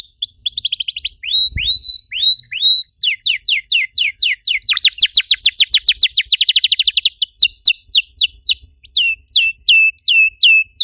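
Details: Canary song used as a lure to prompt other canaries to sing: short upslurred whistled notes, then a long fast trill of rapid buzzy sweeps, followed by a series of slower downslurred whistles; no other sounds.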